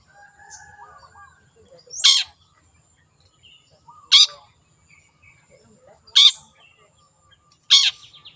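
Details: Singing wild long-tailed shrike gives four loud, rasping descending notes about two seconds apart, with quiet warbled fragments in the pauses.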